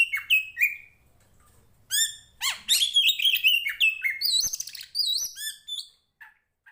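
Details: Singing Oriental magpie-robin of the Tretes poci kacer fighter type: a few whistled slurs, then a long energetic run of chattering, upswept and warbled notes, ending in soft short chips; meant for training rival birds' mettle.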